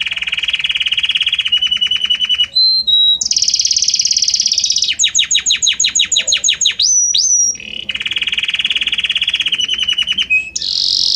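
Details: Belgian canary in a long varied song: steady rolling trills, pure whistled notes, a high buzzy section, a run of sweeping downward chirps, then back to rolling trills, notes evolving gradually from one to another.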